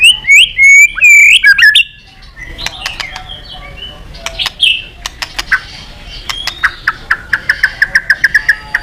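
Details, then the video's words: White-rumped shama song aimed at a rival: loud swooping whistled phrases at the start, then quieter scattered chirps and a closing series of short rapid notes repeated evenly. "Suara Burung Murai Batu Gacor Memanggil Lawan"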